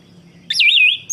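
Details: Orange-headed thrush song used to stimulate a bird that has stopped singing: a single loud wavering whistled phrase sliding down then level, with a brief high note at the end.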